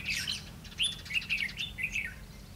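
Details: Red-whiskered bulbul decoy at a trap on 20 May 2016, singing to challenge wild birds; a busy run of chirpy, bouncing warbled notes, loud throughout.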